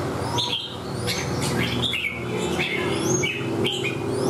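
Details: Red-whiskered bulbul in a cage, singing fanned out and gripping the bars; short warbled whistles repeat roughly every half second to a second, partly over a low rumbling background like passing traffic.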